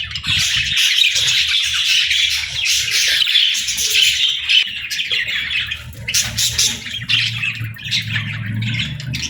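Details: Budgerigar singing: a continuous, buzzy chattering warble of quick chirps and squeaks, broken by brief pauses and then resuming, with a faint low hum underneath.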